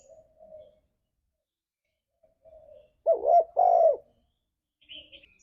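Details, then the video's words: Lure song of a spotted dove (tekukur) in ngalas style: one loud phrase of a wavering coo followed by a long falling coo, framed by softer, distant coos and a faint high chirp. "Suara Burung Tekukur Ini Pancingan Tekukur Gacor Suara Ngalas"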